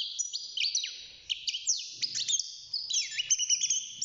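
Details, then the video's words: Hand-reared six-month-old male European goldfinch in a cage, just beginning to sing: a continuous rush of high, liquid twitters, quick slurred notes and buzzy trills. "الحسون بعد مرور ستة شهور أصبح يغرد"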